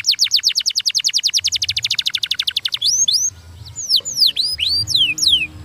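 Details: Canary delivering a fast song: a long run of rapid, evenly spaced downslurred notes followed by a looser series of varied high sweeping whistles.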